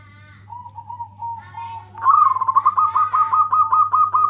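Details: Local zebra dove giving loud calls to companions: a soft, level coo at first, then a louder, rapid string of pulsed, rolling coos that repeat quickly to the end.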